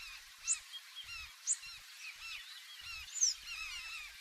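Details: Large-billed terns heard from inside a canoe rocking on the waves. Overlapping, downcurved, nasal calls from many birds are punctuated by three loud, sharp, high notes, with low thuds of the waves beneath.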